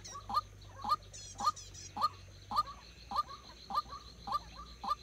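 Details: White-breasted waterhen kept as a decoy bird for trapping, giving a repeated hoarse two-part call about twice a second, each note dropping in pitch, steady and rhythmic throughout, with a faint high tone in the background.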